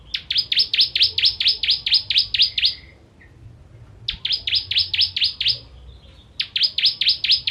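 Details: Bar-winged prinia (ciblek) in the 'kristal' style with sharp 'tembakan' bursts, a master song for songbirds: loud, rapid, descending chip notes in trains of about three seconds, separated by short silences, in a clean recording.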